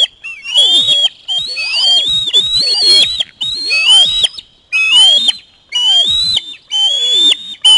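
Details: Osprey chick chasing a parent's fish delivery at the nest, screaming excitedly: a rapid, urgent run of about seven shrill, rasping whistles, rising and wavering, almost one per second.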